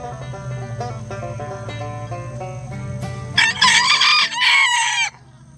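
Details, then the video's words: Bantam rooster crowing among a mixed flock of Lavender Old English game, Mille Fleur d'Uccle and Silver Duckwing chickens; a single loud, strained, rasping crow of nearly two seconds bursts in over steady plucked background music. "Rooster Crowing"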